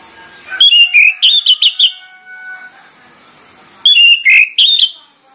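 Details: Orange-headed thrush morning song, played to excite the bird into singing: two bursts of varied clear whistles and sharp chirps separated by a quiet pause, over a steady high hiss.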